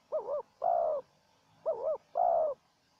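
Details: Spotted dove, a wild bird and a decoy exchanging calls during trapping. Two phrases, each a wavering coo quickly followed by a fuller, longer coo, on a quiet background.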